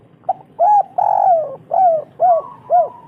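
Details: Local spotted dove giving a lure song to get other doves singing: six loud mellow coos about every half second, the second long and sliding downward, over a faint low hum.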